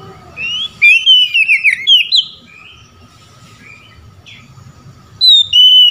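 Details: Rival-calling 'ngeplong' song of an Oriental magpie-robin, answered by other magpie-robins. Quick bright whistles repeated in a tight series, a quiet stretch with soft distant notes, then a new loud whistled phrase begins.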